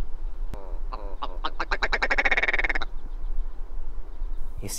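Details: Willow Ptarmigan (red grouse) of the northern hemisphere, a call made by both sexes while camouflaged on the ground: a nasal, chuckling rattle of harsh notes speeding into a rapid stuttering run, then stopping abruptly; a click and brief rustle also heard.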